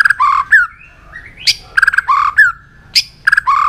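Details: A white-rumped shama in a singing contest with many voices delivers loud, repeated phrases: clipped whistled pairs, a sliding note and sharp high chips, the pattern returning roughly every one and a half seconds.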